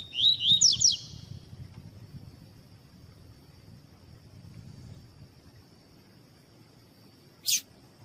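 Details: Double-collared seedeater (coleiro tui tui) song, used as a tutor song to warm up and train captive birds for tournaments. It is a quick, bright twittering phrase of sweeping high notes lasting about a second. Quiet background follows, then one sharp click.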